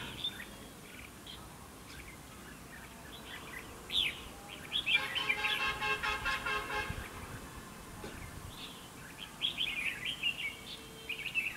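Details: Red-whiskered bulbul used in a fight trap, singing to provoke rivals: short warbled, whistled phrases repeated irregularly, with a loud harsh horn-like burst in the middle and faint background noise.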